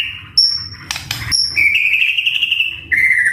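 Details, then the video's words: White-rumped shama song, a caged bird performing a varied, full-repertoire song: a long steady whistled note drifting slightly lower, preceded by short high pure notes and a brief burst of clicks. "Masteran Suara Burung Murai Gacor Full Isian"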